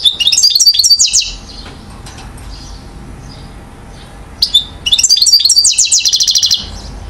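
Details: One-year-old European goldfinch from Mouzaia, Algeria, recorded in 2012, gives two bursts of rapid, high twittering song with a quiet gap between them; the second burst runs into a dense, tinkling trill.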